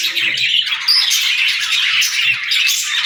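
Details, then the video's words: Several pet budgerigars chirp at once, a busy wash of high scratchy chatter broken by short bright squeaks and whistled notes, unbroken from start to finish. "Bird Chirping Sound"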